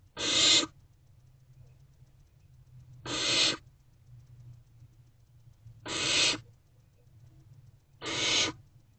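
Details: Barn owl owlets in an owl box at 6 pm, hungry and awaiting their mother, repeat loud hissing screeches, four rasps spaced roughly two to three seconds apart over a faint low hum.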